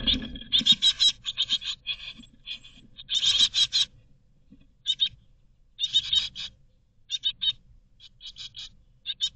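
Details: Begging great tit chicks in a nest box, Berlin, 2022, hoping to be fed. High, raspy, hissing chirps come in irregular clusters, loud at first, then in shorter scattered bursts, over a quiet low hum.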